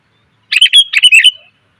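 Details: Sooty-headed bulbul female calling males, recorded as a lure: a single one-second chatter of bright, tumbling chirped notes.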